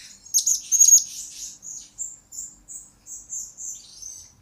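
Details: Blue-crowned hanging parrot used as lure and master song for training: a loud shrill chirp cluster, then a run of short thin whistled notes spaced about a quarter second apart, gradually fading.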